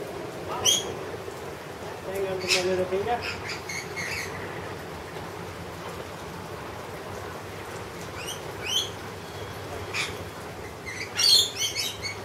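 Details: Wild lorikeets being fed honey give short, shrill, screechy bursts scattered every few seconds, some in quick clusters, while a woman speaks softly to them nearby.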